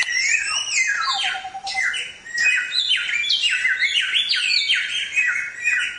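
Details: Black-throated Laughingthrush song, a training recording for songbirds: a dense, continuous chatter of bright descending slurs and whistles, with a short level note in the middle.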